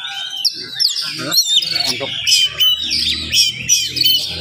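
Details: Oriental magpie-robin singing rapidly in the morning to stir up other magpie-robins. Its sharp whistled slurs and chips ride over continuous men's conversation close by.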